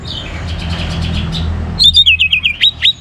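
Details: Orange-headed thrush in full song, used to stimulate other birds to sing: faint repeated high notes at first, then a loud burst of rapid, warbled whistles rising and falling in quick succession.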